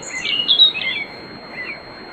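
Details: European robin in pre-dawn nocturnal song, riverside grove at Bóveda, Lugo, Spain; a loud burst of high sweet tinkling notes and trills in the first second, then fainter warbles fading into background hiss.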